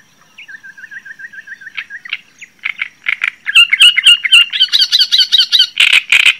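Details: Java sparrow opening with a soft, evenly repeated wavering trill, accelerating into clicking notes and bright tinkling whistles that climb and grow louder, ending in harsh broad bursts.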